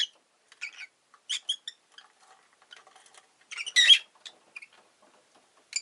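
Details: Busy, scattered chirping from a rosy-faced lovebird: many small ticking and squeaky notes, then one louder harsh screechy burst before more soft chips.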